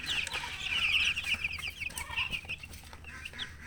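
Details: Baby chickens peeping in a busy group, quick high downslurred chirps tumbling over one another, loudest in the first second and a half, then thinning to scattered single peeps.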